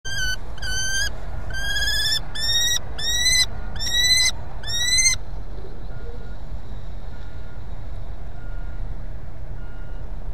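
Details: Common kestrel at its nest in Brest, Belarus, on 23 April 2020, around a prey delivery, gives about seven shrill, strained notes over five seconds, then falls silent over a steady low rumble.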